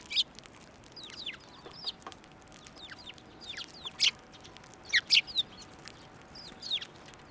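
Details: Sparrows gathering to take food from a hand at a Tenmangu shrine on 11 March 2024, giving many high, downward-slurred chirps in loose overlapping bursts, a few louder paired notes standing out from a busy chattering flock.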